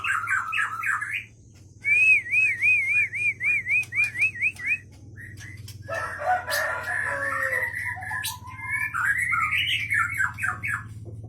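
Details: White-rumped shama of the wild Leuser line from Aceh, caught in 2013 in Pining, Gayo Lues. Its long song holds a repeated wavering trilled phrase, then rolling, churning notes, over a low steady hum.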